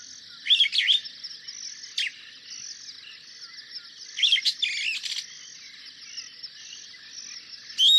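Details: Superb starling giving short, harsh, high chirps in brief clustered bursts, spaced irregularly across the recording, over a steady high-pitched hiss in the background.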